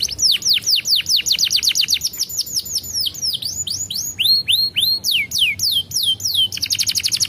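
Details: Canary song for prompting young canaries into breeding: a long series of rapid descending whistled notes, several clear rising-then-falling slurs, then a quick high trill to finish, lively and continuous.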